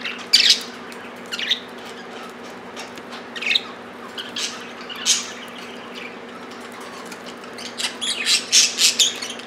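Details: Pet budgerigars squabbling over millet, several birds at once: harsh high squawks and scratchy chirps in bursts, loudest near the start and in a dense flurry toward the end, with quiet gaps between.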